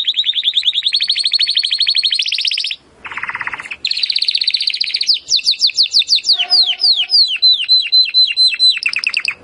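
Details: Timbrado canary song used as training audio to improve canaries' singing: rapid high trills, a brief pause, then a lower rolling buzz, followed by a run of quick down-slurred whistled notes ending in sharp trills.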